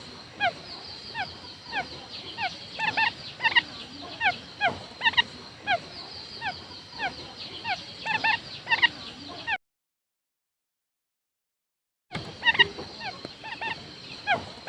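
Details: Quail calls used as a lure: a dense series of quick descending chirps and doubled notes, given steadily for about nine seconds. A silent gap of over two seconds follows, then the chirping resumes.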